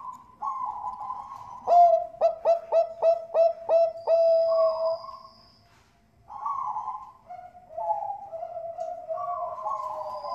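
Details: Lure song of Bangkok zebra doves from a West Java breeding farm in Bekasi, used to get other birds singing: six loud clipped coos in quick succession, a pause, then softer rolling coo phrases from several birds.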